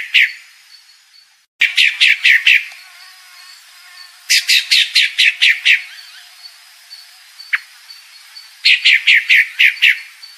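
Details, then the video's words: Repeated bursts of five to seven quick, high chirps from a calling female pale-breasted thrush, separated by pauses of a couple of seconds, with one isolated note between bursts. "Fêmea Sabiá Branca Barranqueira Chamando"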